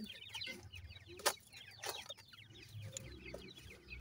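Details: Francolin chicks, called irani teetar, calling together: a dense stream of short, thin, high peeps repeated rapidly by several chicks, with a few sharper clicks and low background hum.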